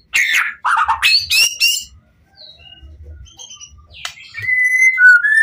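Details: White-rumped shama, the Pastol PTRK BF bird, singing to provoke other shamas: harsh squawking notes and rising whistles at first, a quiet gap with faint high notes, then clear sustained whistles with soft low thumps.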